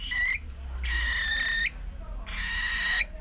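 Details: Caged cockatiel, nearly four months old, keeps up a strange noise when its cage is opened: three long raspy calls with a steady whistled core, the middle one longest, over faint low background hum.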